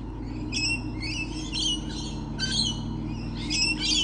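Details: Lorikeets, many around, recorded on 28 November 2013 at about 6:51 in the morning: harsh, scratchy screeches in short bursts, several overlapping, over a steady low hum.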